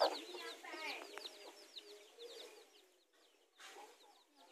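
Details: Mother chickens confronting each other over territory in a garden, with chicks present; a loud opening cluck, then harsh low notes and busy high chick peeps that fade to near quiet before resuming.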